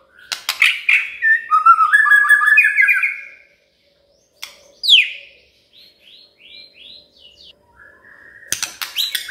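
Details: Magpie-robin song used as a lure to coax a quiet bird into singing: loud, rapid chirps and slurred whistled phrases tumble together, then a pause, a sharp downward note, soft rising whistles and a final burst of bright chatter.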